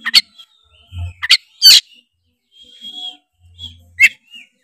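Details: Kacer (oriental magpie-robin) provocation song, tretes style: a few strong buzzy bursts and a thin steady whistle, separated by pauses, with soft low hums in the background.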